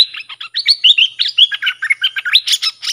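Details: Fired-up bulbul used as a lure bird, singing to drive off rival wild birds. A continuous rapid run of bright, bubbly whistled notes, with chirps rising and falling in quick succession.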